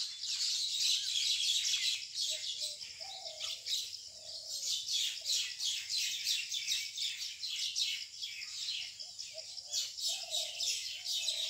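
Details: Common mynas squabbling over a nest hole in a date palm trunk in a rural area, 6 May 2021 at 6 pm: dense, harsh, rasping chatter in rapid overlapping bursts, about three per second, with softer low notes between.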